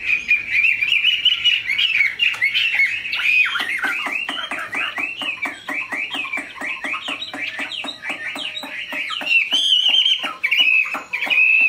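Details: Large purebred Chinese hwamei kept as a cage bird delivering a long, powerful song: clear whistled notes, then rapid repeated trills and rising-falling phrases about eighty per minute, ending in sustained bright whistles.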